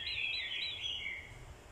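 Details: A brief burst of orange-headed thrush fighting song, from a decoy bird provoked by a female's call. Fast, tumbling warbled whistles slide downward over a low background hum.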